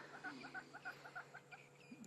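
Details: A Crested Francolin calls at sunset on a still, warm African safari evening, 18 August 2016, with hornbills also calling: a fast, harsh, rattling series about three notes per second, with thinner bird notes near the end.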